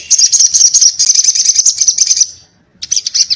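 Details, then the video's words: Sogon sunbird singing in a sharp 'ngobra' fighting style: a fast, high, buzzy chattering trill lasting over two seconds, a brief pause, then the chatter restarts in quick pulses. "sogon gacor ngobra TARUNG NGALAS TAJAM"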